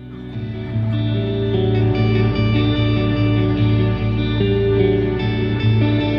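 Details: Plucked electric guitar music with echo plays throughout, with steady low notes and no animal sounds heard.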